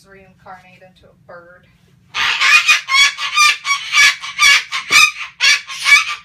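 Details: A male pet sulphur-crested cockatoo ranting gives soft, tonal chatter, then loses it, bursting into loud, harsh, rasping screeches repeated about twice a second.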